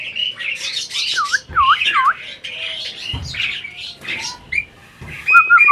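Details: Breeding Asian pied starling seemingly talking: loud scratchy chatter mixed with looping whistled swoops and a short warbled whistle near the end, with brief pauses between phrases.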